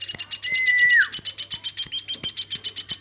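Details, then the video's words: Captive woodpecker raised by hand since it was a baby, calling continuously. A long whistled tone curving downward opens the clip, followed by evenly spaced rasping notes at about four per second. "AMOY BURUNG PLATUK GACORNYA SAMPAI 5 MENIT"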